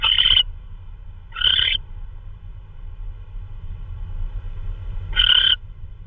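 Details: An owl carrying in food at 3:12 AM on 16 March 2013 gives harsh hissing-screech bursts: two close together, then a longer pause before a third, over faint low hum.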